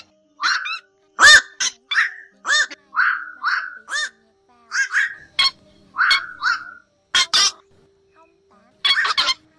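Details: Black-crowned night heron flock-calling and feeding calls played back through two speakers to lure migrating birds into night nets in August 2024: harsh, croaking 'kwok' calls, single or doubled, about one every half second, with a faint steady hum underneath.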